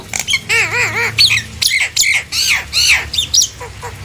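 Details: Nias hill myna singing loudly to coax other hill mynas into calling; opens with a run of wavy, looping whistles, then harsh squawks and arched, descending shrieks follow in quick succession.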